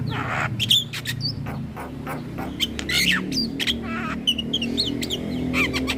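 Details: Javan myna chatter used as a lure for mynas and starlings: varied whistles, grating squawks and clicking rasps in an irregular stream over a steady low hum.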